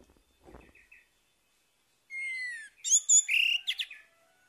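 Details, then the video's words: Morning song of an orange-headed thrush, played to coax a silent bird into singing again: faint twittering, a pause, then a sliding descending whistle followed by a rich burst of fast varied warbled notes. "PANCINGAN ANIS MERAH PAGI HARI MENGATASI ANIS MERAH MACET"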